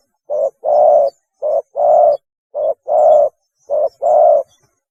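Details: Spotted dove calling to attract mates, used as a lure: four clean, evenly spaced pairs, each a short hoot followed by a longer, resonant coo, with silence between.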